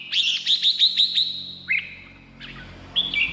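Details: Red-whiskered bulbul singing, for exciting caged birds or luring wild ones: a rapid series of six or seven bright whistled notes, followed by a few lower slurred whistles.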